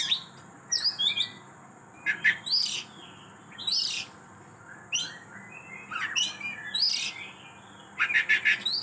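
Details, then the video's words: Oriental magpie-robin in an energetic, fast-changing song. Loud high chirps and buzzy whistled phrases come in clusters about every second, with a stuttering run of rapid notes near the end and a quiet background. "KACER KEJANG KEJANG !! BONGKAR MATERI"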